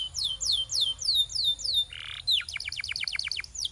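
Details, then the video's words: Training song of a canary: a series of clear falling whistled slurs about three per second, a short harsh buzz, then a rapid rolling tour of steep descending notes. "Transform Your Quiet Canary into a Singing Champion!"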